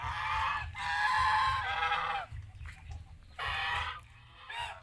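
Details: Geese raised on an Asian farm give long, blaring honks, two joined into a sustained call, then a pause and two shorter ones, over a low rumble.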